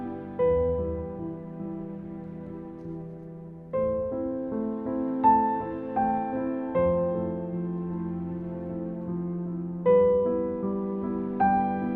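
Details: Soft, slow piano music with sustained chords plays throughout, and no animal sounds can be heard.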